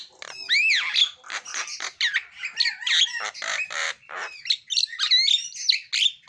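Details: Javan myna (Acridotheres javanicus) in full song with many mimicked fill-in phrases: a busy run of harsh squawks, chattering notes and bright rising whistles.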